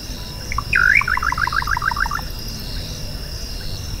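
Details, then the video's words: One little nightjar song phrase, a sharp looped upslur followed by a hurried series of short notes lasting about a second and a half, then insect hum alone. "O Canto do BACURAU CHINTÃ (Hydropsalis Parvula) Bird Song - Little Nightjar"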